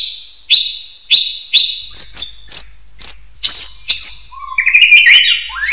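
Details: Common hill myna, a training recording for other birds, in an active singing bout: three clipped whistles at the start, then a run of sharp high whistled notes with fast slurs, ending in lower warbled notes.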